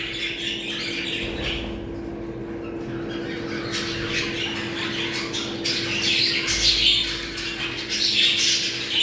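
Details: Budgerigar flock chatter used to trigger breeding condition: dense, raspy warbling with squeaky chirps, growing busier and louder toward the end, over a steady low hum and a few soft thumps.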